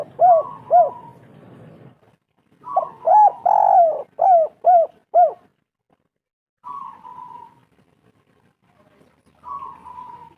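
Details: Local spotted dove giving a lure call meant to prompt other doves to sing: mellow, hollow coos, a quick run of about five short rising-falling notes, then drawn-out single coos spaced by pauses, in a quiet setting.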